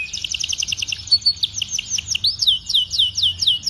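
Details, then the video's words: Training song of a canary for young canaries learning to sing, in a special phrasing style: fast repeated chirps, followed by a series of sweeping down-slurred whistled notes at about two per second, all high and bright. "MASTERAN KENARI PAUD - cengkok istimewa"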